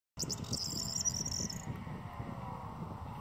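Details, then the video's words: Corn bunting song: a quick jangling, rattling trill high in pitch, lasting about a second and a half, then stopping, over a steady loud low rumbling noise that continues throughout. "Presura sură (Miliaria calandra)"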